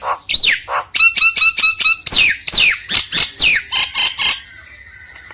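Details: Lure recording of Nias hill myna song for a lazy myna: an almost unbroken string of loud notes, with rising and falling whistles and ringing, harmonic calls, tailing off into a faint tone.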